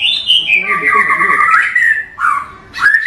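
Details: White-rumped shama of the Indonesian Bahorok local type giving a long wavering whistled warble that slides downward, followed by two shorter slurred whistles after brief pauses.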